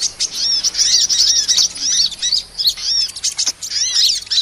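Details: Small-bird lure sound of a sunbird ('kolibri'): a nearly continuous stream of very high, bright chirps and downslurred squeaks, roughly three notes a second, with the rhythm uneven and busy.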